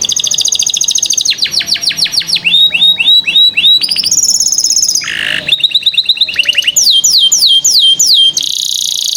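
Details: Canary song used as a training lure for young canaries reluctant to sing: loud, high varied phrases of rapid repeated trills, descending swept notes and buzzy rolls, switching tour every second or so, with no other sounds.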